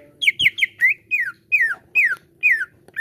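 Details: Cucak ijo (greater green leafbird) lure song used to prompt caged birds into full song: a quick run of bright, downslurred whistles, each about a quarter second long, delivered in steady succession with faint background hum.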